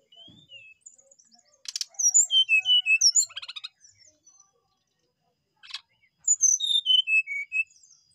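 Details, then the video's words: Brown-chested jungle flycatcher singing: sharp clicks, then bright high whistled notes stepping downward in a cascade, a pause, another click, and a second descending series of clear sweet whistles. "sikatan rimba dada coklat gacor"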